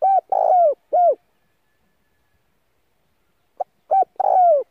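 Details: Spotted dove decoy calling to lure others, used for voice training; the end of one coo phrase with a long, falling middle note, then after a pause a new phrase of a short pip and hollow coos.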